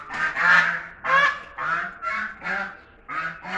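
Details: Chinese geese fighting, giving loud harsh nasal honks in a rapid irregular series, about six bursts over a few seconds, each rough and broadband with a low buzzy base.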